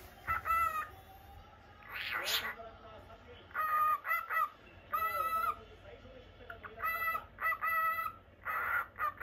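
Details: Normal-lutino pet cockatiel in Japan giving repeated short whistled chirps with clear harmonics, in irregular bursts over about nine seconds, with a faint steady hum behind.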